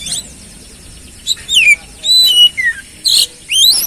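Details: Oriental magpie-robin singing as a lure to stimulate a stressed, non-singing bird: varied whistled notes, some gliding down, some level, with rough buzzy bursts and a closing rising whistle.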